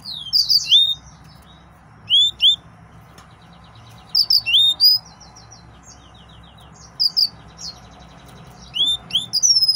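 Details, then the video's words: Excited male yellow-fronted canary uttering brief clusters of two or three high, sweeping whistled chirps, spaced about two seconds apart with quiet gaps between, over a soft steady background hum. "تغريد مرعب سورا الموزمبيقي"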